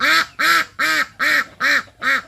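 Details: A female Yi Liang-breed domestic duck, one of the culled ducks kept behind the house, gives six loud, harsh, nasal quacks, each about a quarter-second long, evenly spaced roughly every 0.4 seconds.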